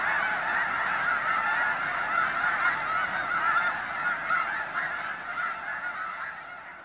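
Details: A chorus of snow geese at the Hayton Snow Goose Reserve near Conway, Washington, Skagit Wildlife Area; dense overlapping honks with occasional distinct yelps, the whole sound gradually fading toward the end.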